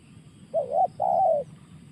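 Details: Spotted dove giving a pressing call: two low cooing notes, the first short and wavering, the second longer and slightly falling, over a faint steady background hum.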